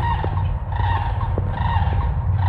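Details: Sandhill cranes, seen distantly in a field on 17 March 2022, give loud, distant, rolling, trumpeting calls over and over, each harmonic and slightly rattling, beneath a heavy low rumble of wind.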